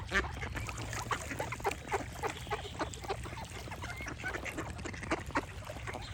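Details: Ducks calling in quick, irregular quacks, several each second, some louder bursts standing out over a constant low hum and faint bird song.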